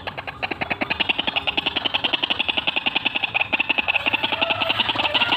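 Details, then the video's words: White-breasted waterhen rolling "ngeroll" lure call. A steady, fast train of sharp croaking pulses, close to four a second, grows gradually louder across the whole stretch. "RUAK RUAK GACORAN FULL NGEKEK NGEROLLL"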